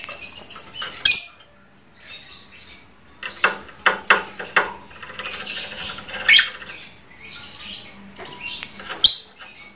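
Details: Lovebird kept as a pet, trondol type, giving sharp squeaky chirps and a quick series of clicking notes, with occasional loud high squeals spaced a few seconds apart.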